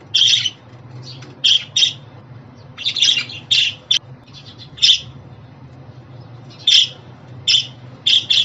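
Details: Pet budgerigar chirps meant to make a budgie happy: irregular clusters of rough, clipped notes with a longer quiet gap midway, then more paired chirps, low hum in the background.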